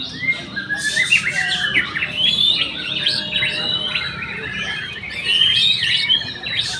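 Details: Caged young white-rumped shama pours out a loud, varied warbling song of rising and falling whistles and quick trills, phrases running into each other with little pause.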